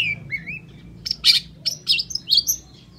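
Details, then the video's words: Long-tailed shrike in full, lively song, used as a lure to make other shrikes sing: opening slurred rising-falling whistles, then a burst of harsh, scratchy chirps and sharp high notes in quick succession over a low background hum. "SUARA CENDET GACOR"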